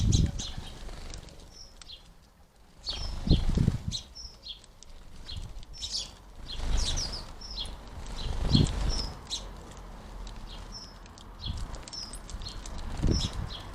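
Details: Garden feeder with house sparrows feeding nearby; thin high chirps recur steadily through the clip over a rumbling low background, broken by occasional bumps and wingbeats.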